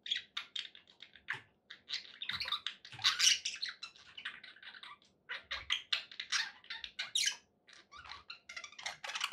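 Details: Pet budgies producing an excited run of sharp chirps, squeaks and buzzy warbles, tightly spaced throughout, over faint low background hum.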